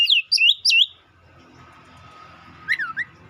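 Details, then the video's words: White-rumped shama giving three quick looping whistled notes, then a pause with faint hum, followed by a softer, lower pair of warbled whistles. "Dengar kicauan Kacer satu ini dijamin langsung nyaut Kacer manapun"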